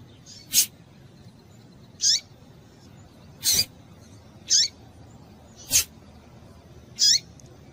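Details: Female double-collared seedeater calling to excite males: short, high notes that slur steeply downward, given about every one to one and a half seconds, interspersed with loud sharp clicks against a low background hiss.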